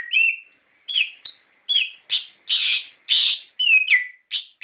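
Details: Lure song of an orange-headed thrush meant to stir kept birds into singing: clear swooping whistled notes alternating with dense scratchy bursts, each phrase about half a second, delivered in a steady varied stream.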